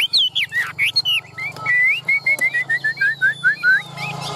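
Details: Tame caged Chinese hwamei: loud fluty opening notes, then a steady string of short upward-slurred whistles, roughly four per second.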